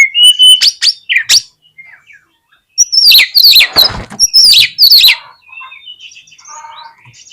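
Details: Oriental magpie-robin (kacer) song played to make a bird open its tail and fight: loud sharp whistles and harsh chattering bursts, a quiet gap, then another strong burst fading into soft twitters.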